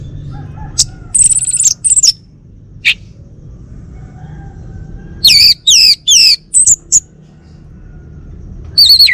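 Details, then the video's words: Male Bali orange-headed thrush, a kept home bird, sings loud high phrases: a buzzy sustained note, sharp separate chips, then a fast run of five rapid downslurred whistles and a final high burst, with faint low hum beneath. "Kicau Burung ANIS MERAH Bali Jantan"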